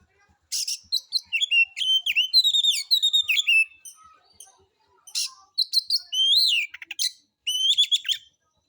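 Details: Kacer, white-rumped shama, delivering harsh lure material to provoke other birds into singing; long varied sequences of clear whistles, buzzy chatter and rapid sharp notes with brief breaks.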